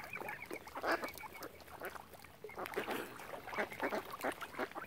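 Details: Quieter scene of ducks by swans at Oxford Island, Lough Neagh, Ireland: intermittent rough quacks in small groups, a faint high whistled note near the start.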